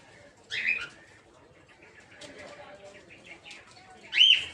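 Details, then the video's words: Two sharp, high-pitched shrieks, one early and one late, with quieter chatter between them. They come from captive peach-faced lovebirds in a breeding aviary holding opaline, dark green, blue and lutino varieties. "Peach-Faced Lovebird's Sounds"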